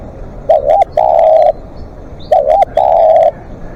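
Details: Two repeated phrases from a live decoy spotted dove in long calling: a quick double coo, then a long flat croo, about two seconds apart, with faint bird chirps in the background.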